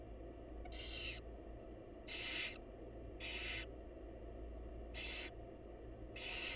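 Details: Wild barn owl mother feeds her young in a nest box: five rough, breathy screech-hisses, each under half a second, arriving about every second over a low steady hum.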